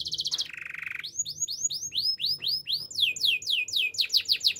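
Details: Canary delivering a training song for young canaries: a buzzy trill and lower rasping roll, then swooping whistled notes, each rising and arching over, repeated about three to four times a second.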